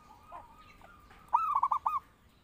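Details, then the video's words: Zebra dove song serving as a master call to train or lure birds. After a faint thin tone, a loud cooing phrase comes: a rising start and four fast rolling beats. "Pancingan Burung Perkutut Gacor"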